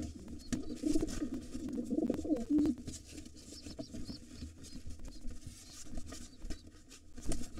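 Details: Wild pigeons at an occupied nest with two nestlings as a gray intruder fights the white father. Low, throaty cooing rolls for about two seconds over scuffling, feather rustles and scratching noises indoors.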